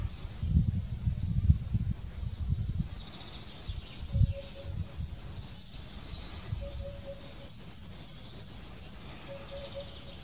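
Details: Eurasian hoopoe at Drunen, Netherlands, on 4 June 2020: soft, low hollow triple hoots repeated at intervals of about two and a half seconds, over loud low wind rumble and faint distant birds.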